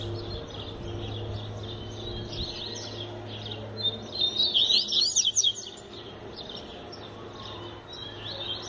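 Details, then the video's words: Double-collared seedeater, tui tui zel zel song style: after quiet faint notes, a loud brief burst of rapid high sweeping whistles mid-way, over a steady background hum. "Coleiro Flash Tui Tui Zel Zel Canta Muito Fibra Absurda"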